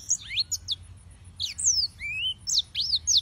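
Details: High, thin song of yellow-fronted canaries (Serinus mozambicus): scattered sharp downslurred whistles and one long rising note, separated by short gaps. Soft low hum in the background.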